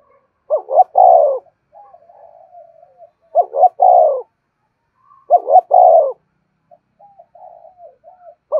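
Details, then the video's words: Lure cooing of a spotted dove. Three phrases, each two quick rising notes followed by a drawn-out descending coo, come roughly every 2.4 seconds. Faint low warbling fills the gaps, and there is no background noise. "tiếng cu gáy mồi chuẩn"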